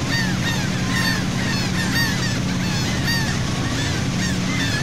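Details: A flock of seagulls heard from a boat at sea by Saint Martin, Cox's Bazar, Bangladesh, giving repeated rising-and-falling squeals, several per second, with the boat engine droning low beneath.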